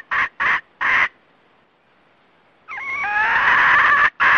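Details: Red junglefowl, male and female, calling the flock as a trapping lure. Three short harsh squawks, a pause, then a long rising tonal cry that grows buzzy, ending with one more squawk.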